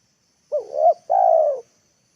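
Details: Spotted dove lure call used to draw wild birds down to the ground: one phrase of two short rising coos followed by a long, level, drawn-out coo, clean with no other sounds.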